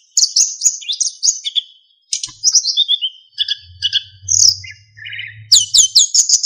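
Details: Narcissus flycatcher song, recorded as training material for other songbirds and marked by fill-in phrases and clear whistles: rapid high chirps and slurred whistled notes in varied bursts, a short pause, then dense trills, with a faint low hum.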